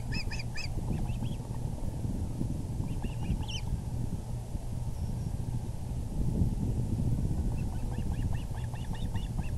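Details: Male osprey brings a big fish to the nest, evening of April 6, 2020; scattered groups of high, sharp chirps, one near the start, a few in the middle, a longer series at the end, under steady wind noise.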